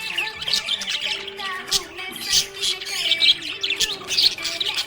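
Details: A happy budgie chirps in quick, uneven bursts of high, scratchy twitters and squeaks, about once a second, accompanied by faint background music with held tones.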